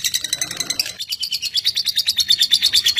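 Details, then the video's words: Rapid lovebird chattering: sharp, buzzy high chirps pulsing about three times a second, briefly masked by low rustling at the start. "BURUNG LOVEBIRD ANDA JADI KONSLET GARA GARA SUARA INI"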